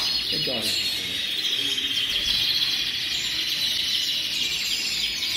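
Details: Massed singing from hundreds of colorful canaries, a steady shimmer of high, fast trills and chirps layered over one another without pause.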